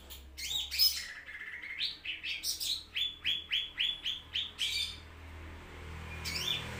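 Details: Green leafbird song for training cage birds: opening scratchy, varied notes, then a steady run of about ten quick, sharp, downward-sliding whistles, with a final burst at the end over a low background hum.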